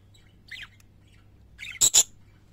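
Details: Parakeets kept as pets: a soft falling chirp, then two loud harsh squawks close together near the end, over a faint background hum.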